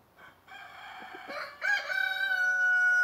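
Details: Indian Malay rooster crowing on a muddy farm while roosters wander outside: a faint lead-in, then a loud, long, harmonic crow holding a steady drawn-out tone at the end.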